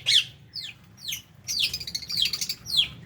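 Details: Lovebirds at their food, budgie parrots alongside: a few piercing falling chirps and a burst of rapid, busier chattering in the middle of the short stretch.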